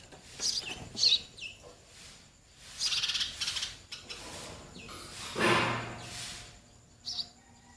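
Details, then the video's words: Baby sparrows waiting for their mother and father to feed them give short, high chirping bursts at irregular intervals. The bursts alternate with quieter gaps over a faint, hissy background. "Baby sparrow birds waiting for mother & father to feed"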